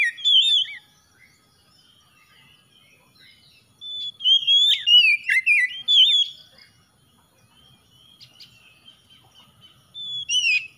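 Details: An oriental magpie-robin sings short bursts of clear, slurred whistles separated by long quiet gaps, with one richer warbled phrase in the middle.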